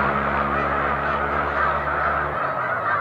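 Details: Snow geese in a huge flock lifting off together as a boat nears, March 2021: a continuous massed honking clamour with a deep motor drone underneath that fades near the end.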